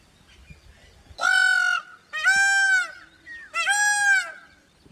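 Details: An Indian peafowl gives three loud, nasal, trumpeting wails, each about half a second long and roughly a second apart, rich and harsh in tone over a quiet background. Finding: Indian peafowl.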